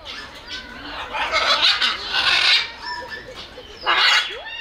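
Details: Loud macaw parrot from South America uttering rough, noisy screeches in several bursts, the harshest near the end, separated by quieter grumbling sounds.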